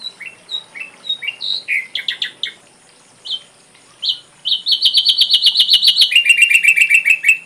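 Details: Ashy drongo song for tutoring songbirds, complete repertoire: assorted short whistled and slurred notes, a brief pause, then a fast even chatter of repeated notes that drops to a lower pitch partway through.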